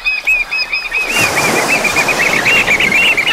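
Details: Eurasian oystercatcher on the Breton coast of France: a long run of sharp piping notes, rapid and steady, over loud rushing surf or wind noise that rises after the first second.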